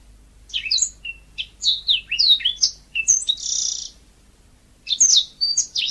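Yellow-fronted canary singing a fast, bright jumble of high chirps, twitters and a short buzzy trill, pausing briefly before resuming.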